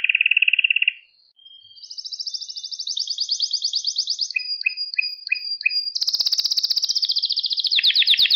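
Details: Canary song meant as a singing lesson for young birds: a low rattling trill, a short gap, then long high rolling trills, a series of five short chirped notes and a loud dense buzzing roll to the end.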